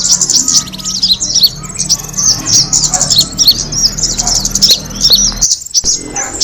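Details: Kemade bird sounds played to lure other birds, a busy stream of sharp high-pitched chirps and quick down-slurred notes, broken by a short drop-out near the end over a low steady hum.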